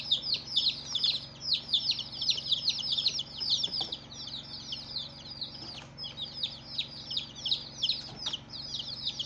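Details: Baby chicks on their first day, a group peeping together: a dense, continuous chorus of high, short chirps that slide downward, overlapping constantly at roughly two to three calls per second, with a steady low hum underneath.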